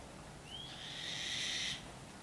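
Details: One of a resident pair of White-tailed Kites in redwood trees in a front yard in town, Petaluma, California, on 2 November 2011, gives a short rising whistle breaking into a harsh, grating rasp of about a second over faint hiss.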